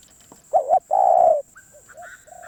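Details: Spotted dove, described as a wild bird, gives one loud cooing phrase: a wavering double note followed by a long, steady, hoarse coo. Faint higher whistles from other birds follow, over a thin constant high whine.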